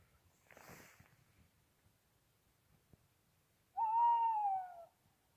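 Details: A tawny owl, answering playback at night near a car during an owl count, gives a single drawn-out hoot, about a second long and steady in pitch, dropping slightly at the end, after a brief rustle.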